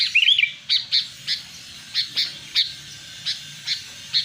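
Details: Lure call of a sooty-headed bulbul for catching wild birds: one rapid warbled phrase, then evenly spaced short sharp chips about every third of a second, with a low background hum.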